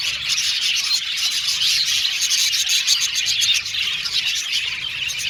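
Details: Aviary budgies chattering as a group: a continuous blend of high chirps and warbling song from many birds, fairly even in loudness from start to finish.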